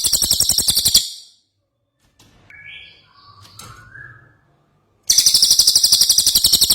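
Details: Ashy tailorbird singing energetically, recorded as a tutor song for training magpie-robins and other cagebirds: loud, rapid, high buzzy trill opening and closing the passage, with faint, softer whistled notes and quiet pauses between.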